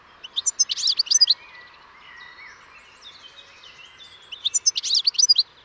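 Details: European goldfinch singing two bursts of fast, sparkling twitter at the start and end, separated by quieter thin, sliding whistled notes.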